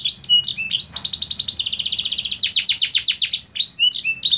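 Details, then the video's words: Canary song recorded for training caged birds to sing daily: bright high chirps leading into long, fast, even rolling trills, then rapid downslurred notes and whistles, with faint low hum beneath. "KENARI LAGU MEWAH!!"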